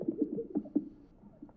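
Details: Male Greater Sage-Grouse displaying on a spring lek in Colorado, inflating yellow air sacs to attract a mate as a female visits: a quick run of low, hollow, bubbling pops and gulps in under a second, then quieter murmurs.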